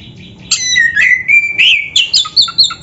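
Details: Busy oriental magpie-robin singing filler-rich phrases: a long, clear whistle rising gently in pitch, followed by quick chirps and squeaky notes.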